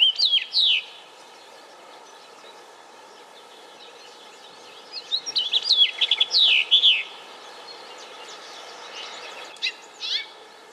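A house finch gives three bursts of bright, twittering warbled notes, the middle one a longer jumbled run, with quiet pauses between; faint background hiss.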